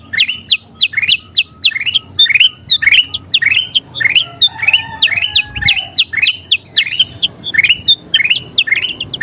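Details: Gacor golden bulbul (kutilang emas) song used for tutoring songbirds: a fast series of short, sharp rising chirps repeated about three times a second, with a faint whistle in the background.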